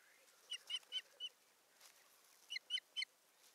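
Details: Osprey at its nest on a Satakunta, Finland nest camera, 7 May 2019, the male bringing a twig and bustling about; two bursts of clear, downslurred whistles, four notes then three, evenly spaced about a quarter-second apart, over faint background hiss.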